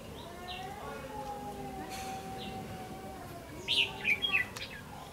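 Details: Red-whiskered bulbul fighting song used as a lure in a trap: a short burst of bright, clipped whistled notes near the end, over steady low humming tones and background noise.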